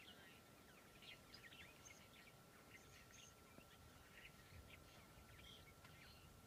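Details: Red-winged starlings chattering on a hot day with a swirling westerly breeze, recorded 13 March 2023: a busy stream of quick, overlapping chirps and short whistled notes, quiet and distant, over wind noise and a steady electronic hum.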